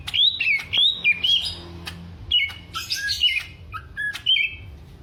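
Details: Caged greater green leafbird of Alas Purwo, Banyuwangi, Indonesia, in a mental test of its fighting temperament: bright looping whistles, then scratchy high chatter mixed with short clear whistles in uneven bursts.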